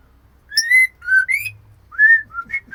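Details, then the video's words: White-rumped shama female calling her mate with clear, fluty whistles: a long rising note, a lower steady one, an upward slide, then a softer trio of short whistles after a pause. "Murai Betina Memanggil Jantan"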